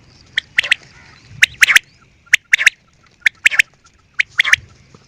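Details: Quail giving squawky, grating notes in short bursts, mixed with sharp clicks, in an irregular chattering rhythm over a steady background hum.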